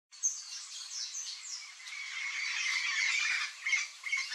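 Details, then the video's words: Yellow-faced parrot (Alipiopsitta xanthops) giving harsh, squawky chattering calls, dense and overlapping, with a few sharp high notes near the end. "PAPAGAIO-GALEGO (ALIPIOPSITTA XANTHOPS), YELLOW-FACED PARROT, PAPAGAIO-CURRALEIRO, PAPAGAIO-CURAU"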